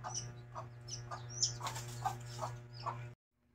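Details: Mother hen with chicks: soft low clucks roughly every half second mixed with high, sharp chick peeps over a humming background, ending abruptly in silence.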